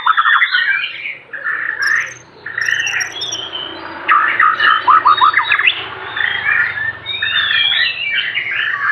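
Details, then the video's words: Aceh-type white-rumped shama singing a richly filled song: dense run of varied whistles, slurred rising notes and rapid chattering phrases, with a few high thin squeaks overhead and steady low hum beneath. "murai batu aceh,isian mewah gaya mantap"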